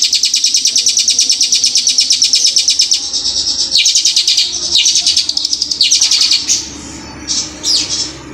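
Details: Hill prinia singing in the loud, fast rolling style with long bursts known locally as roll speed tembak panjang. High, sharp notes repeat rapidly, about three per second, in long runs broken by short pauses, fading into softer scattered chips near the end.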